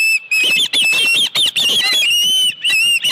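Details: Osprey calling at a ranch nest where a live fish has been brought; sharp, high whistled squeals repeat rapidly in short bursts, each note clipped and slightly sliding, separated by brief pauses.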